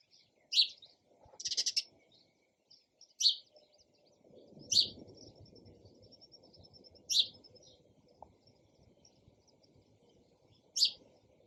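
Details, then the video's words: Sparrow repeatedly chirping: about seven loud, sharp, high chirps spaced one to three seconds apart, one a quick pulsed flurry, with soft rustling noise in the background. "SOUND OF SPARROW RELAXING CHIRPING SOUND"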